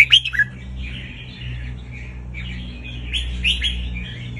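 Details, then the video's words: Caged red-whiskered bulbul singing, played to teach young birds and excite other birds: bright chirpy phrases and twittering warbles repeating without pause, with a sharp burst at the start and a steady low hum underneath. "chào mào hót"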